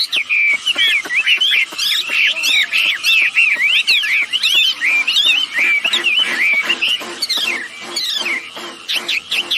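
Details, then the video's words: Lure recording of female and male wambi birds calling energetically; an unbroken chatter of high, bending whistles and crisp clicks, thick and fast throughout. "Suara burung wambi betina jantan gacor || mantap pancingan agar ikut bunyi"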